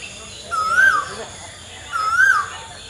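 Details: Two loud whistled notes of an Asian koel's song, each rising smoothly and tailing off, separated by a pause of over a second, with constant insect hum behind.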